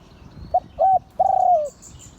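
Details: Spotted dove of a line considered auspicious, singing a crowing song in the style known as Liu Tan: a brief low coo, a firmer second note, then a long, slightly falling, finely trembling coo. Faint thin chirps sit far above.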